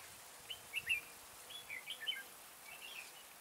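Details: Red-whiskered bulbul singing as a trap decoy. It gives three brief, bright, chirpy phrases of sharp up-and-down notes over a quiet hiss.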